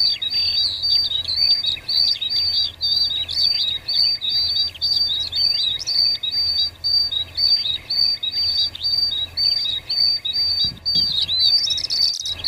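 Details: Wild cinereous tit (Parus cinereus) singing busily, a steady run of high, sharp chirping and whistled notes, nearly two a second, with a faint low hum beneath.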